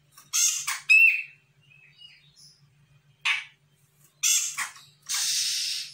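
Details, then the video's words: An untrained grey-cheeked bulbul from Sumatra, replying to a lure, gives loud grating notes and a short whistle. Soft whistles follow, then further harsh bursts and a sustained hissing noise at the close. "CUCAK JENGGOT SUMATRA GACOR - CJM BAKALAN AUTO NYAHUT"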